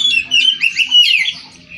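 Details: Short, loud passage of magpie-robin song: sweet whistled notes swooping up and down in quick succession, fading into a softer warble at the end.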